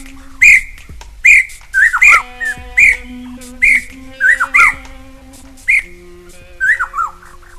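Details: Scimitar babbler, the Taiwan endemic subspecies, at Dagangshan Ecological Park in Kaohsiung on 19 September 2011. It gives clear, mellow whistled notes, some with quick downward slurs, about one a second, over a faint steady background drone.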